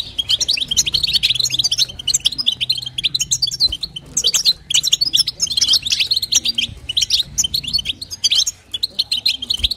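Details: Female European goldfinch calling to stimulate a male, in the batbata and satsata style: rapid, dense high twittering and chirping in continuous bursts, tinkling notes packed closely together, with a faint low hum beneath.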